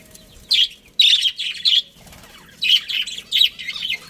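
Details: A budgie colony with a breeding pair, chirping in bright, high, scratchy bursts. The chirps come in two clusters separated by a short pause.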